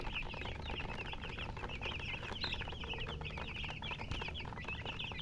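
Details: Chickens peeping in a lively overlapping chorus of short, thin, rising and falling chirps, fairly even in loudness, with low humming noise behind.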